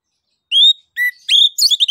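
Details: Orange-headed thrush singing ngeplong to prompt other birds: a pure whistle, then a lower whistle, followed by fast, jumbled twittering phrases ending in repeated chirps.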